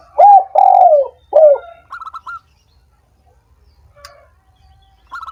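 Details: Call of the spotted dove used to rouse doves that are lazy and slow to sing: three strong, rough coos falling in pitch, followed by a quick run of thin higher notes and near silence.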